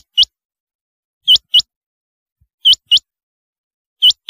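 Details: Rain quail calling in sharp, high paired notes, each pair a quick double chip repeated about every one and a half seconds against silence.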